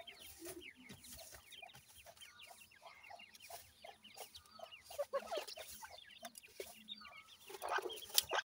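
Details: Grey francolin mother feeding chicks that call to her: dense high chirping peeps with soft low clucks underneath, and a louder rustling burst near the end.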